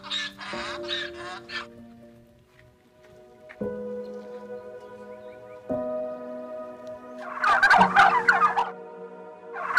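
Two bursts of a turkey's rapid, rattling gobble, one at the start and one near the end, over sustained low musical tones.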